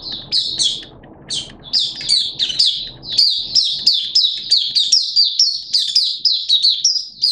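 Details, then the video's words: Malaysian white-eye, a hobby songbird, pouring out 'buka' song: loud, piercing high chirps strung in quick pulsing phrases roughly every quarter second, clean and clear with little background. "Malaysian Mata Puteh Buka Sing"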